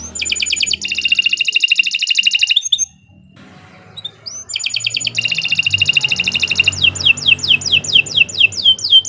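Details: Kenari Nusantara canary pouring out vigorous song: dense high buzzy trills, a short silent gap with a lone upslurred note, then more rattling trills ending in rapid falling whistles.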